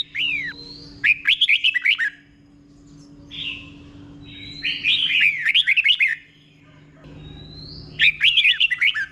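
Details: Red-whiskered bulbul in 'beul' doubled song, delivered slowly and clearly as a model for caged birds: three bouncy phrases of quick looping whistles, each opening with a thin rising note, about two seconds apart.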